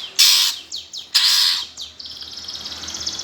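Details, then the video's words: Greater green leafbird, 'gereja tarung' fighting song used to provoke competition birds: two loud harsh rasping bursts separated by quick downslurred whistles, then a faint thin buzzing trill. "PANCINGAN cucak ijo suara gereja tarung"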